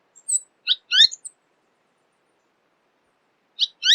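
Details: Tanager of Latin America: a few short, sharp downslurred chips grouped near the start, a long silence, then two more similar chips at the end.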